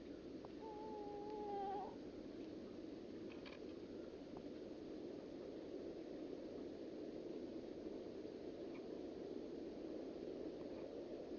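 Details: At sundown, a horned grebe from a family catching insects gives a single drawn-out, nasal wailing note about a second long ending in a brief upward flick, then steady rushing wind or water.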